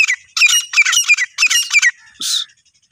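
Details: Female desi teetar, the grey francolin, calling in a quick series of sharp, squeaky chattering notes, about six bursts in under two seconds, followed by a brief rough hiss.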